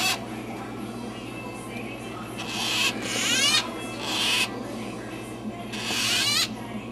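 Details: Newly hatched Illiger's and blue-headed macaw chicks, December 7, 2012, give three short bursts of soft, squeaky, wavering cooing after feeding, as if full-bellied, about a second each, over a faint steady hum.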